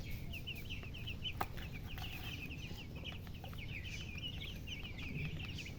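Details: Baby chickens chirping: many short, high peeps repeated rapidly and overlapping throughout, forming a busy chattering stream over a steady low rumble of background noise.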